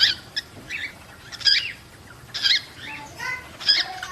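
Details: Breeding-encouragement calls of cockatiels: several overlapping chirps, some bending upward, in bursts about a second apart, mixed with squeaky chatter.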